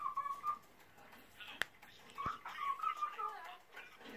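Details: A 7-year-old male pet cockatiel sings to his food as he eats, giving a run of clear, short, repeated whistled notes with two sharp clicks between phrases.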